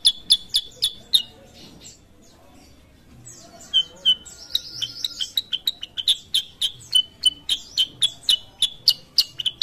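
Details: A sooty-headed bulbul, called kutilang sutra, in active song: a burst of sharp chips, a pause with soft twittering and a short warbled phrase, then a long rapid run of clicking chirps.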